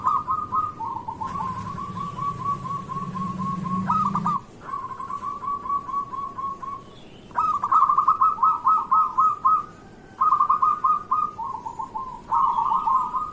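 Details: Local zebra dove singing energetically in the morning, a song used to lure and stir other zebra doves to call: soft, mid-pitched trilled coos in long rattling runs separated by short pauses, with a low hum early on.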